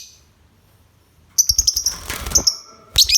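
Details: Lovebird giving a fast run of shrill high chirps after a quiet start, with a harsh burst in the middle and a final pair of piercing notes.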